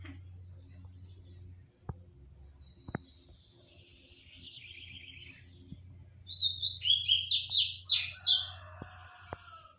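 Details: A captive double-collared seedeater singing a lot gives a quick, high, twittering phrase of buzzy chirps lasting about two seconds, after a softer trill, over a low hum and a few clicks.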